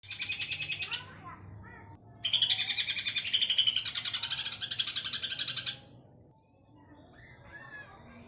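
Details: Greater green leafbird giving a ngekek chatter meant to prompt other birds to sing: dense, rapid buzzy chattering bursts, one short and one long about three seconds, with softer twittering between and after.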